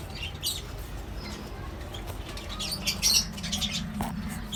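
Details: A mixed colony of lovebirds, cockatiels and budgies chatters continuously: dense, overlapping high chirps and twitters without pause, loudest around the middle, over a low steady hum.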